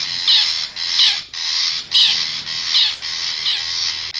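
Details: Lure call of a wild long-tailed shrike from forest, meant to bring wild birds near: long grating, buzzy screeches repeated roughly every 0.7 seconds, steady and loud, no other sounds.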